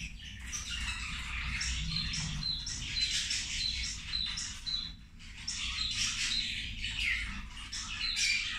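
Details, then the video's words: Zebra finches at lunch, feeding together; dense overlapping nasal chirps and squeaky calls from several birds, in two bursts separated by a brief lull near the middle, with a low rumbling background. "Australijske zebe ručak"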